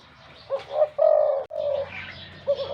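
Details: Spotted dove kept as a decoy bird, wild-caught, with a big voice, giving a low, drawn-out coo preceded by short notes, with faint softer chirping in the background.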